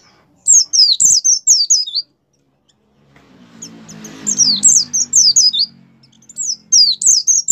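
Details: Kept white-eye singing in lively gacor style, used to stir other caged white-eyes into song: two bursts of rapid, very high, downslurred whistled notes, separated by a pause with a low rumbling hum.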